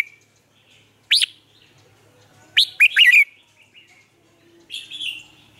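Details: Red-whiskered bulbul kept as a caged lure bird, singing to train other bulbuls: short bright whistled phrases with sharp rising and falling notes in clusters around one and three seconds, then a softer warbled phrase near the end, quiet background.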